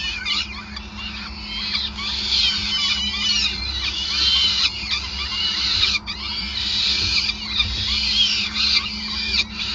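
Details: Peregrine falcon feeding at the nest, Gasunie site, Groningen, 5 May 2020; continuous overlapping high squealing and chattering with a low humming undertone.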